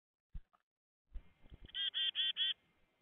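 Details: Black-capped chickadee visiting a bird feeder gives four quick, nasal, buzzy 'dee' notes in a rapid run, after a few soft knocks and thumps.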